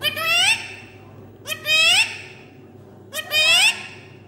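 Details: Pet talking parrot producing three short, rising, harmonic-rich utterances about every one and a half seconds, with a steady low hum in the background.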